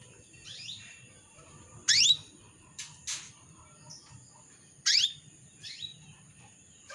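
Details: Female canary calling for a male: two strong, sharp, rising calls three seconds apart, with quieter double chirps and short ticks in the gaps.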